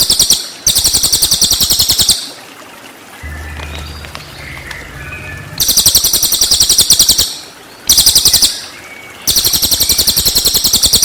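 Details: Cililin song for tutoring white-rumped shama (murai batu): several bursts of fast, high, rattling trill notes, each lasting one to two seconds, broken by quieter stretches holding faint whistles and a low hum.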